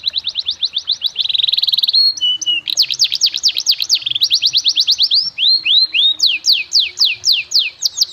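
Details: Canary singing a fancy melodic master song for teaching young birds: quick high chips, a buzzy trill, then loud repeated downward-sweeping whistles and rising slurs in varied phrases.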